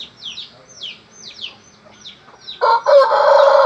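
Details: Small birds give quick, high, falling chirps before a Pelung chicken bursts into a loud, harmonic melodious crow that holds steadily through the final second.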